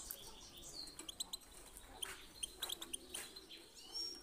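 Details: European goldfinch song of 'pit pitak' and 'chi chiu' type, for getting birds singing: sharp high ticks and short chirps in irregular bursts over steady hiss.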